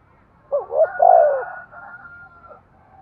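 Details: Spotted dove cooing, a call said to stimulate breeding: a low, hoarse phrase of quick rising-falling notes ending in a longer rounded coo, followed by a thin, drawn-out, level tone fading over a second.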